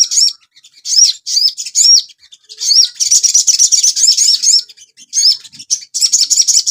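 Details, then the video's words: Caged Asian pied starling song played as a master recording for training cage birds: rapid high chirps and bright rising whistled notes in dense bursts, briefly pausing, then a long continuous chattering run. "TERAPI BURUNG SOGON – MASTERAN AGAR CEPAT GACOR"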